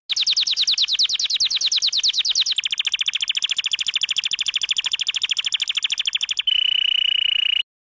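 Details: Canary song: fast, high trills of a dozen or so notes a second, shifting to a steadier, shriller roll and ending on a piercing sustained note.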